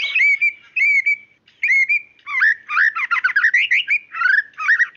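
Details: Female white-rumped shama calling the male: several clear, short whistles in a row, then a rapid tumbling sequence of varied chirps and trilled notes.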